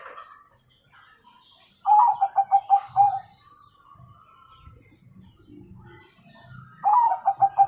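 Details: Gacor zebra dove, Bangkok type, giving its nggayer song with a kung ending to prompt young birds to answer: quick pulsed coo phrases about five seconds apart, over low rustling and faint chirps.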